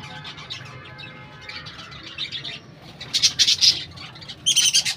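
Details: Budgerigars in a colony at a bird house give scratchy warbling chatter, then loud bursts of sharp, rapid chirps near the end.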